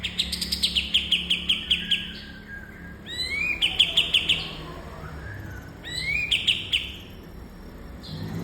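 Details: Bulbul recorded for training cage birds: short volleys of rapid high chirps separated by pauses, each later volley introduced by an upward-sweeping whistle; quiet low background noise between phrases.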